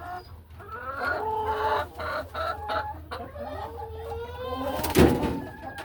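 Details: Laying hens in a hen house on an afternoon, settling into nesting boxes and walking along ledges: a steady stream of soft overlapping clucks and low murmuring calls from several birds, with one sharp knock or thump near the end.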